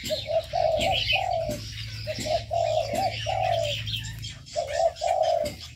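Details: Captive birds in an aviary, where repeated low mellow coos come in short runs with brief gaps, while high scattered chirps and twittering continue behind them over a low steady hum.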